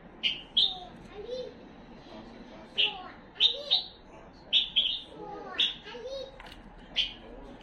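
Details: Tame Himalayan bulbul singing: short, bright whistled phrases in quick pairs, repeated every second or so with brief pauses, over quiet human speech in the background.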